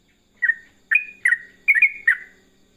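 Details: Yellow-vented bulbul giving five short, bright, bubbling chirps at intervals of roughly half a second, each falling slightly in pitch, with a quiet background.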